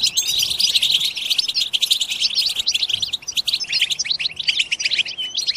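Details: Goldfinch group chatter (batbata) played to rouse goldfinches to sing: quick, crisp twittering notes and short trills tumbling over one another in a lively, continuous chorus.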